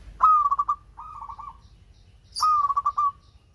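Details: Melodious local zebra dove: two loud rolling coos of fast pulsed notes with a softer trilled phrase between them, plus a brief high chirp.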